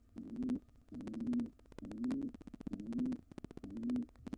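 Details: Wild pigeons, an intruding pair trying to take over a nest box after the resident pair's nestling fledged: low, soft cooing phrases repeated roughly once a second, with sharp clicking and tapping sounds between them.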